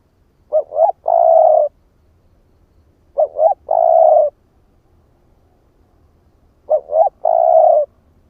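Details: Spotted dove, a male cooing to lure other doves: three evenly spaced phrases of two brief rising notes and then one long held coo, repeated about every three seconds.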